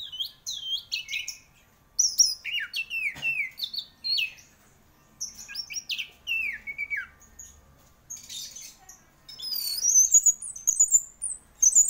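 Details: Orange-headed thrush in full, energetic competition-style song: a rich run of varied whistled phrases, many notes sliding down, delivered in quick bursts separated by brief pauses, ending in a rapid high twittering sequence.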